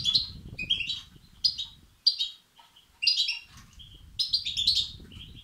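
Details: Goldfinch chicks begging, calls played to stimulate males; clustered high, scratchy chirps in four or five bursts with quiet gaps, a low background murmur between them.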